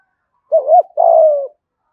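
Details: Spotted dove, 'gù thúc' coo in the 'giọng thổ' voice used as a lure for wild doves: a short wavering hoot followed by a longer, steady, slowly falling coo, the phrase lasting about one second in clean quiet.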